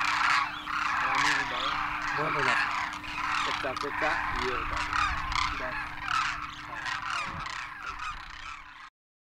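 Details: Wild Demoiselle Cranes, first-year juveniles with their parents, wintering at Khichan Village in Rajasthan, India, after migrating across the Himalaya. The flock gives nasal, honking calls at an irregular pace amid broad crowd noise and human voices.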